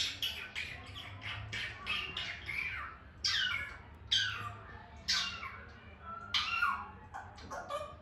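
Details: African grey parrot, a pet, giving a run of harsh squawks and sharp whistled calls that sweep downward, repeated roughly every second, with a low steady hum underneath.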